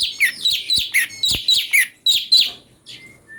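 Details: Brown-breasted bulbul (cucak cungko) song variation used to tutor magpie-robins: a dense, rapid chatter of bright chirps and short warbled notes, with a couple of thin whistles trailing off at the close.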